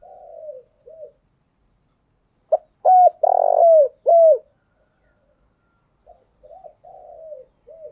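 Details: Spotted dove song used as a lure to excite and train decoy birds: soft low coos, then a loud burst of deep hooting coos in a quick run, followed again by quieter coos.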